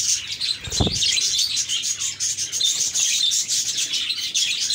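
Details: Happy caged budgies keep up a lively high chatter of overlapping chirps and trilled warbles; a single dull thump is heard near the start amid the constant twittering.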